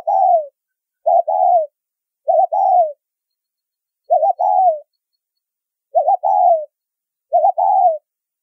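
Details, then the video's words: Spotted dove (Vietnamese "cu gáy") giving a strong, well-toned coo used to lure or trigger wild doves: six coos, each a short low note then a longer, hoarse, slightly falling coo, about every 1.5 seconds, no other sounds. "Tiếng Chim Cu Gáy Thúc Rút Bổi , Tông Còi Âm Quá Hay"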